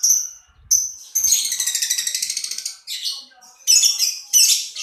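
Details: Lovebird with a few shrill chirps leading into an extended pulsed rasping trill, followed by scratchy squawks and sharp squeaks.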